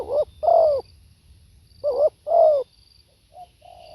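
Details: Spotted dove recorded live: two loud pairs of rolling coos, the second note longer and falling, followed by soft quiet notes starting the next phrase; thin high tones faintly present.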